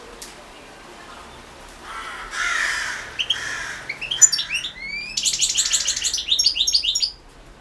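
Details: European goldfinch singing for a 2016 online world goldfinch song championship entry; after a few seconds of rushing background noise, a fast run of high, twittering, sliding whistled notes builds into a dense chattering phrase lasting about three seconds.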